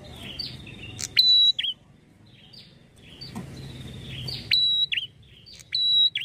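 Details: Red-headed prinia lure song, used to provoke prinias into answering quickly: high, thin chirps and short, sharp whistled bars with clicky bursts, in quick phrases repeated several times.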